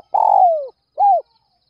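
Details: Spotted dove at dawn, calling to draw other doves: a long buzzy coo gliding downward, followed after a short gap by one soft arched coo.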